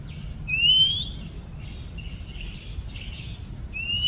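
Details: An Oriental magpie-robin in a Thai village, a species usually heard in the morning and evening, gives a clear, rising whistled note, then softer warbled phrases and another upslurred whistle, over a steady low background rumble.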